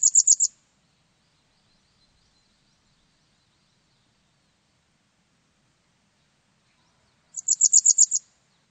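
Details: Japanese wagtail from a 2020 recording: two bursts of rapid, very high ticking chirps, about four notes then about seven, separated by roughly seven seconds of silence.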